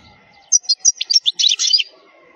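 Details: Short phrase of European goldfinch khalwi song, a wild, error-free song for tutoring young goldfinches: a few separate high whistled notes speeding into a jumbled tinkling twitter, over a faint steady hum.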